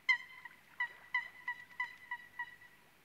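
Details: Eurasian coot: a series of about seven short, abrupt, nasal notes with rich harmonics, each sharply struck then trailing briefly, spaced roughly a third to half a second apart, against a quiet background.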